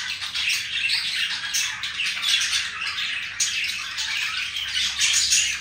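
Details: Two budgies being affectionate toward each other, steady bright warble of fast chirps, squeaks and short whistled notes, growing slightly louder toward the end.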